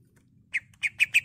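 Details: Greater green leafbird in full vigorous voice, used as a stimulus to make kept leafbirds combative and singing. Four harsh, squawky notes come in quick succession, and the last three are evenly spaced and sharp.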